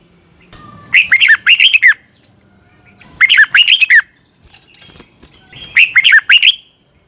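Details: Red-whiskered bulbul in morning song for bird training, delivering three short bursts of rapid, looping whistled notes, about five per phrase, repeated at intervals of around two seconds against quiet background.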